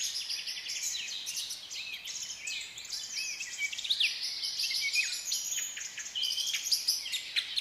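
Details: African lovebirds of different colours chatter nonstop in a dense flock, with shrill, high-pitched chirps and squeaks overlapping throughout.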